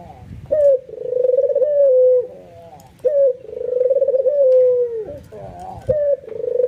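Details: Two and a half long coos from a nodding, excited albino white ringneck dove that sets other doves going; each starts with a sharp note, trills steadily, then drops away.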